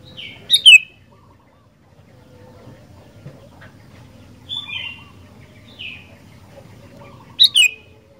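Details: Sooty-headed bulbul singing eagerly: two loud, sharp whistled phrases with a falling tail open and close the passage, and softer, shorter slurred notes fill the middle. Faint background murmur throughout.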